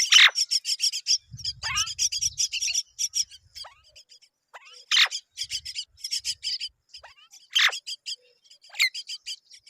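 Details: Young mynas fed by both parents: runs of quick, high, buzzy chirps broken by several loud, harsh, downward-sliding squawks, with brief pauses between bursts and a soft low rustle early on.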